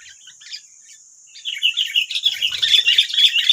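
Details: Wild sooty-headed bulbuls in West Lampung, Indonesia, reacting to a decoy: after a quiet start with scattered chips, a fast, noisy chatter of sharp, squeaky notes breaks out and keeps going at a rapid pace.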